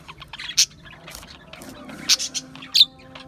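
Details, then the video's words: Australian budgies giving a few sharp, high chirps spaced across the stretch, with quieter chatter and a faint steady hum between them. "Budgies Chirping Sounds"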